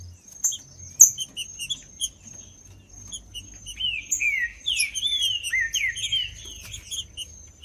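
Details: Green-winged saltator song used to get silent saltators singing. Quick high chirps lead into a sustained series of rich, descending whistled slurs in the second half, with a steady high whine behind.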